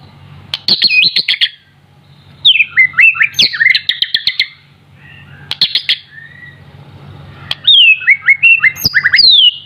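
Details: Young white-rumped shama, still in juvenile plumage yet singing freely: bursts of rich, varied whistled phrases with sharp rising and falling notes and quick trills, separated by brief pauses, with some clicking sounds between phrases.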